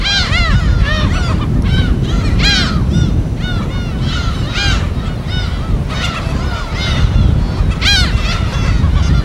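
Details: Gulls at their colony on an uninhabited island off Korea's west coast: steady overlapping harsh, arched cries from many birds, a few louder close calls, over constant low surf.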